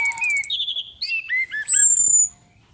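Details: Orange-headed thrush female, played as a lure: a fast buzzy trill, a row of pulsed mid notes, jumpy warbled slurs, then a bright, long, high whistle gliding downward.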